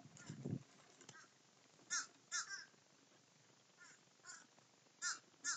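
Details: Feeding crows call together with short, harsh caws repeated about every half second in bursts. Some sound close and some distant, over low rustling at the start.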